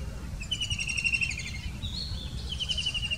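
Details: White-throated kingfisher giving an answering call: a fast, pulsed, chattering trill that starts shrill and runs slightly downward, then a second trill follows after a brief higher note, over a low rumbling background.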